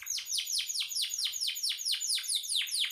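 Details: Canary singing gacor, used as master song for songbirds; steady rhythmic trill of loud, high notes each sweeping sharply downward, about five per second.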